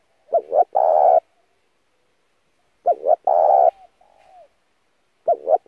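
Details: Spotted dove lure call for training a freshly caught wild bird, cooing with great intensity: repeated phrases about every two and a half seconds of two short notes and a sustained coo, one phrase trailing into a soft falling note.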